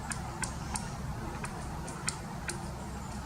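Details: A Pileated Woodpecker knocking off bark while foraging at Alpine Groves Park, St Johns County, Florida, raps sharp, dry knocks at an uneven pace, about six in three seconds, over a steady low rumble.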